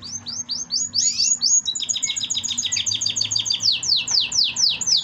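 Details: Young domestic canary, surviving chick of yellow canary parents, singing a fast rolling trill of rapid high downward-slurred notes, several quick repeated phrases strung together without pause, over a low background hum.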